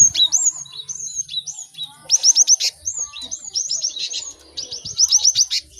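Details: Cinereous tit song, many birds, meant to teach caged birds to sing quickly: hooked whistles alternating with rapid runs of five or six sharp descending chirps, repeated in several bursts with barely a pause.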